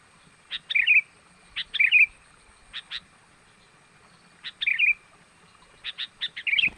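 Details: Sooty-headed bulbul calling to lure wild birds: crisp clipped notes, some trailed by a rolling, warbled phrase, delivered in irregular bursts roughly once a second.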